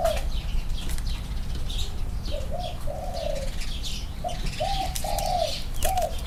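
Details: Spotted dove, one of two birds in Thailand compared for their cooing: a series of soft, low coo phrases over steady rumbling background noise, with faint higher chirps from other birds.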